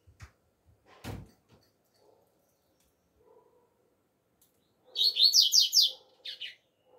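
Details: Double-collared seedeater in the alegria tuí tuí zeo zeo song style, singing in the open air: after scattered clicks and knocks, a rapid string of high, sweeping notes, followed by a short extra phrase.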